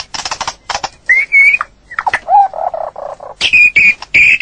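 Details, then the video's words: A white-rumped shama sings rich, varied phrases mixing clear whistles with harsh, chattering notes, in quick bursts with short pauses. "เสียงนกบินหลาหรือกางเขนดง l White-rumped shama sound"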